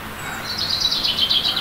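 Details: Eurasian blue tit in early April in a spring forest and garden, preparing a nest in a tree hollow and loudly proclaiming its territory from a branch; a quick series of high, slurred chirping notes rising in intensity, with faint background noise.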